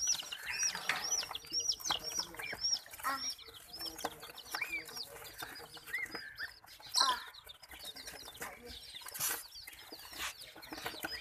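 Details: Frightened domestic chicks under attack from baby ducks and a puppy keep up a steady stream of shrill, rising peeps, many birds calling at once, with bursts of louder scuffling noise.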